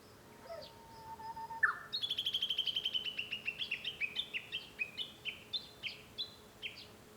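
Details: Japanese bush warbler heard from a room at home on 5 May 2013: a short lower whistle and an upward slur, then a long rapid series of about twenty-five high notes that gradually slow and space out.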